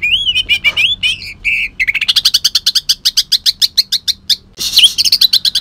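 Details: Kalimantan greater green leafbird in harsh, shrike-imitating song: opening slurred whistles and twitters give way to a long, rapid series of loud, clipped chirps, ending in a dense scratchy burst.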